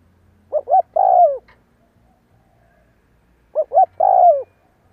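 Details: Caged spotted dove used to train decoy birds, cooing repeatedly: two phrases about three seconds apart, each of two brief clipped notes followed by a drawn-out, slightly falling coo, in otherwise quiet surroundings.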